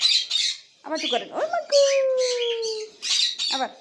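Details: High scratchy squawks open the sequence, then the cockatiel gives a swooping squeak and one long, slightly falling whistle, ending with more rasping chirps.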